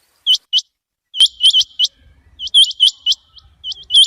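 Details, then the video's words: Quail calling, a call played in the morning for quail hunting: sharp, high chirped notes in quick pairs and triplets, repeated in bursts with short pauses, over a faint low rumble. "chinag batair ki max awaz Shubha ke liay"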